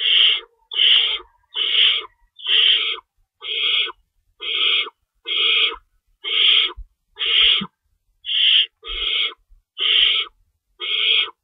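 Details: Owl nest feeding session before dawn on March 25, 2012, two rabbits in store; steady series of about thirteen coarse, breathy screeches, each brief, repeating about once a second, with a faint knock midway.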